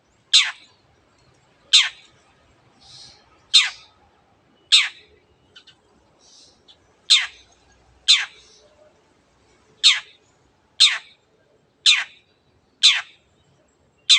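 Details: Repeated 'teot teot' calls of a long-tailed shrike: about twelve harsh, explosive, downward-sweeping notes roughly one second apart, with faint softer chirps from another bird between them.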